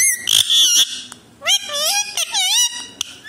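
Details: A pet Alexandrine parakeet talks, apparently in Hindi, in a high, nasal, squeaky voice, repeating short word-like phrases such as "mitthu" in quick bursts with brief pauses between them.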